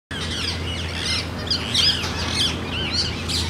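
Indian parakeets chatter in a flock: harsh, screechy squawks and chirps overlap without pause, with a steady low hum beneath.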